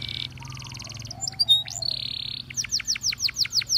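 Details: Belgian canary training song with flat buzzy tours and brief whistles, then a steady series of high downward sweeps about five per second over a faint low hum.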